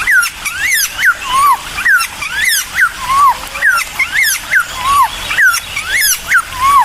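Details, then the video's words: Cucak timor in lively song meant to goad other birds into singing: clear arched whistles, rising then falling, repeated in quick succession roughly twice per second, with faint buzzy overtones above. "CUCAK TIMOR GACOR EMOSI....‼️100% BIKIN BURUNG LAIN LANGSUNG NYAUT"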